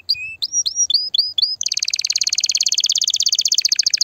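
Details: Loud, excited canary singing meant to stimulate mating and prepare females for breeding and nest building: a low whistle, then six rising whistled notes, followed by a fast, steady, rattling trill.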